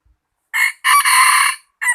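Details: Close rooster crow in three parts: a brief opening syllable, a sustained, loud, rasping middle phrase held for nearly a second, and a short final note. Otherwise silent surroundings.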